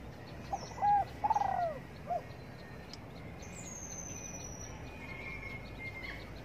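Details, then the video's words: One spotted dove phrase at sunny morning rest: a soft note, a trembling coo sloping down, a short end note, then quiet with a thin high tone drifting above. "Cu Đất Gáy Gù Phơi Nắng Sáng"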